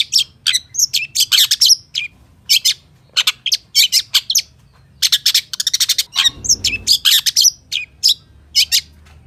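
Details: Singing long-tailed shrike in full 'isian' style, a dense, varied stream of high chirps, rattling trills and scratchy notes over nine seconds, with one brief low rumbling noise in the middle.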